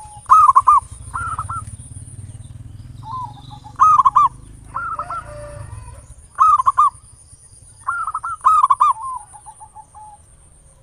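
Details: Local zebra dove singing a lure song in the ngayer nulop style, meant to provoke other doves to sing: several short bursts of rapid, rolling mid-pitched coos over a steady low rumble, with a faint high whine throughout.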